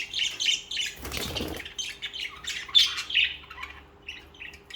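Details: Budgerigars chirp in quick succession with short buzzy warbles, interrupted near the start by a brief burst of fluttering wing noise.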